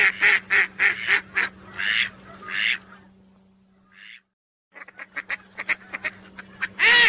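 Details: Whistling duck calls used as a hunting lure: a rapid string of harsh notes and two longer calls, a pause of near silence, then quick soft notes ending in a loud ringing call.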